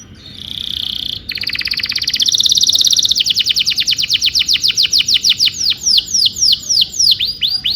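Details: Canary singing tutor song for young canaries learning to sing: a soft opening, a rapid buzzy trill, then a long run of evenly repeated falling sweeps speeding slightly toward the end.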